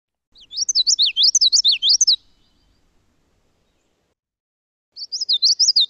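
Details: Common Yellowthroat, a spring migrant in southern Quebec, singing its rolling, repetitive wichety phrases, high and clear, in a run of about two seconds, then starting again after a short pause.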